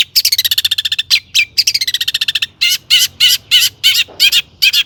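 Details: Long-tailed shrike singing a lively song packed with mimicked fill-ins, used as a lure to make other shrikes sing: rapid harmonic trills, then loud separate bursts about every third of a second.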